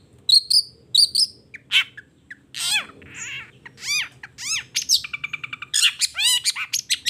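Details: Morning song of a long-tailed shrike in full voice, showing off its repertoire: paired high chirps, harsh squawks, arched and down-slurred whistles, then a quickening run of sharp notes at the end.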